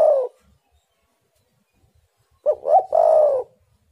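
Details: Spotted dove coo used as a lure to get wild doves calling: the tail of one falling coo, a pause, then a full phrase of two short hooting notes and a drawn-out descending coo.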